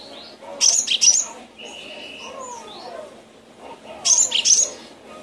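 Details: Gelatik batu, the Cinereous tit, used as a training recording for songbirds: a pair of harsh, high double-note bursts, then a pause of about three seconds, then a second pair, with soft lower sliding whistles between them.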